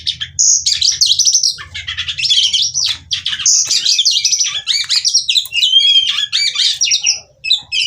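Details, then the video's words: A female Oriental magpie-robin chatters energetically in the 'ngobra bukor' manner meant to make males sing, mixing dense buzzy trills, chirps and clear rising whistles without pause, over a steady low hum. "Kacer Betina Gacor Ngobra Bukor/Rayuan Kacer Betina Terapi Gacor Kacer Bahan"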